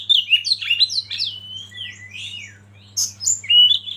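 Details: Oriental magpie-robin training song: a quick cluster of bright slurred whistles, then softer drawn-out notes and a final burst of high sharp chirps, with a steady low hum underneath.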